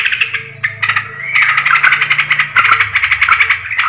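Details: Yellow-vented bulbul calls used to lure birds: dense, scratchy chatter of quick repeated notes, swelling after the first second, over a steady low mechanical hum.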